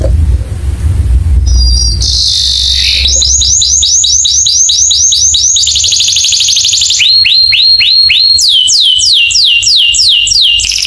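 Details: Canary master song to set other canaries singing: a buzzy note, then a long fast trill, a slower run of rising-falling whistles, and finally broad downslurred whistled notes.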